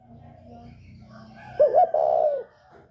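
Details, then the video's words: Northern spotted dove calling in the 'còi bổi ghét' voice to provoke other birds: one low phrase of two short notes and a long sustained coo, preceded by a low murmuring background. "Chim cu gáy giọng còi bổi ghét kích chim rất hiệu quả, cu gáy miền bắc"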